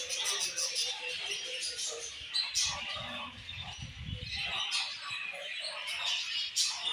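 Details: A flock of captive budgerigars producing steady high chatter and squeaks, with a low rumbling noise underneath for about two seconds midway.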